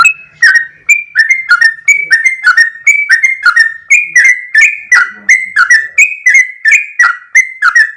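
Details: Sooty-headed bulbul singing actively in a long, rapid run of song: loud, slurred whistled notes with sharp clicky onsets, each note dipping or bending, repeated steadily about three times a second with no other sounds.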